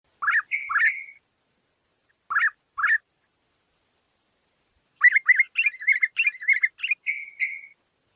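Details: Yellow-vented bulbul, a male singing from within the leaves of a lush forest canopy among fruiting trees while a female is nearby: short bubbly phrases of rising notes ending in brief whistles, then a longer rapid chattering run.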